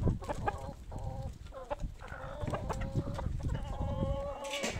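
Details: Poultry flock at feeding time. Hens call in drawn-out, slightly quavering notes mixed with rapid clucks, several birds overlapping, with a low background rumble and scratching sounds.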